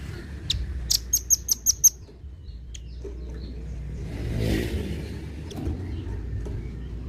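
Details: Velvet-fronted nuthatch from Indonesia, its coarse voice prized as a model for competition songbirds: a short string of six rapid, sharp high ticks near the start, followed by scattered clicks while a vehicle swells and fades behind.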